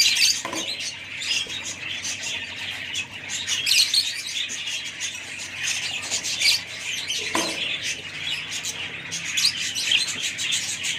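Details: Budgerigars chattering together in a dense, continuous stream of high chirps, squeaks and warbles, with two brief lower scraping sounds near the start and around seven seconds.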